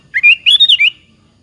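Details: A single lively phrase from a sooty-headed bulbul singing to lure other bulbuls to answer: five quick fluty syllables climbing then dipping, loud and clear over a faint low hum.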